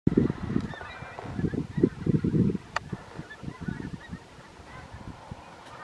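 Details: Pink-footed geese flying over a back garden: a flock gives rapid, overlapping honking calls in irregular bursts, loudest in the first three seconds and then thinning to scattered softer notes.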